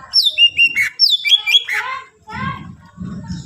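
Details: Greater green leafbird in full varied song, used to provoke other leafbirds into singing: quick descending whistles and sharp slurred notes in fast succession, then a scratchy chatter with faint low rumbling noise behind.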